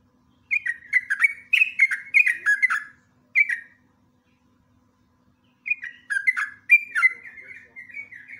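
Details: Sooty-headed bulbul singing in a lure recording, lively and rapid with bursting, chattering phrasing: a tight sequence of bubbly, downslurred whistles, a short isolated phrase, a silent gap of about two seconds, then warbling notes resume.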